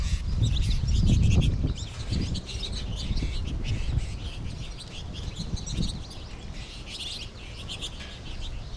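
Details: American goldfinch flock in March, many birds also calling from trees overhead; dense overlapping high twittering chirps, about four per second, over a heavy low rumble that is loudest near the start.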